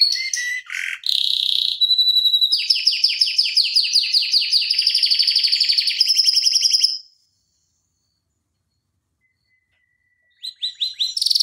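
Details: Canary tutor recording of rolling song: mixed chirps, then a long fast trill rising in intensity for about four seconds, silence, and a final burst of trills.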